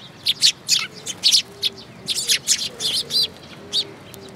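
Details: Sparrows gathering at a feeding spot on a bridge railing at a Tenmangu shrine on 9 June 2022; a busy run of short, bright chirps from several birds, tumbling over one another in quick bursts.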